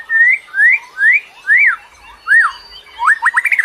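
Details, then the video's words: Bird song played to lure other birds: five clear upslurred whistles about half a second apart, the last arching up and down, then a fast stuttering trill of rising notes. "KICAU BURUNG PEMIKAT"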